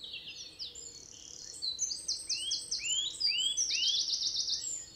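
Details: Birds singing on a foggy morning in a California forest. High, varied song phrases of sweet whistles, downslurred notes and quick trills overlap continuously, with a faint low background hum.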